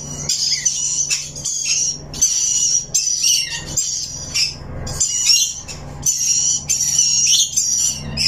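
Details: Rainbow lorikeet, a parrot, chirping: long shrill screechy high bursts in rapid runs separated by short breaks, over a steady low hum.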